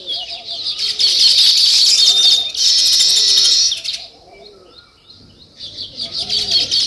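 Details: Sparrows chirping in a dense, bright chorus of high chattering notes, loudest for the first four seconds, then briefer chirps. A dove coos softly underneath in low arched notes repeated about every second.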